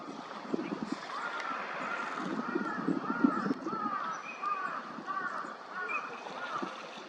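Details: Eurasian teal, wintering ducks in a park pond at Junsai-ike green space, Chiba, Japan, February: many overlapping short, arched whistled notes from several birds calling almost continuously, with low splashing and background noise beneath.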